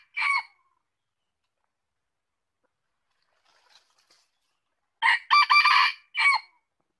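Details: Red junglefowl crow. The tail of one crow opens the recording, then about four seconds of near silence, then a full hoarse crow: brief opening note, long rasping middle section, short falling closing syllable.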